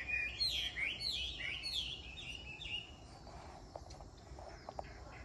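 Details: Chinese hwamei, called a mountain-forest songster, delivering a burst of fast, looping, varied whistled notes during the first three seconds, then falling quiet apart from a few faint clicks and soft background noise.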